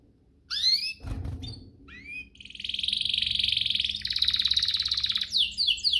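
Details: Canary song used to excite other canaries into singing: a few rising whistled slurs, a loud broadband thump, then a long dense fast buzzy trill and quick high notes.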